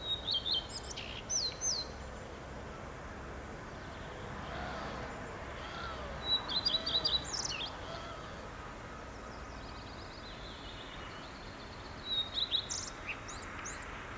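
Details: Male common redstart in Lipka, Wielkopolska, Poland, giving three short high song phrases about five seconds apart. Each is a brief burst of thin whistles and twittering chirps. Steady low background noise fills the gaps.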